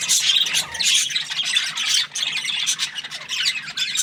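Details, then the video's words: Cheerful budgerigar chatter, fast high squeaky chirps and grating squawks run together in a busy warble, with a short dip in loudness midway before the twittering resumes. "Happy Budgie chirping sounds"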